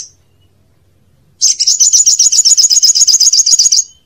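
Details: Olive-backed sunbird song used as a lure for young birds: after a brief quiet, a loud, rapid trill of high, sharp, evenly spaced chirps lasting over two seconds.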